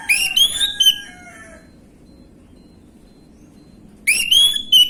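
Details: Orange-headed thrush lure song, gamblingan style, used to draw a quick reply from untrained birds: a bright whistled phrase with rising and falling notes, a pause of about three seconds, then a second whistled burst.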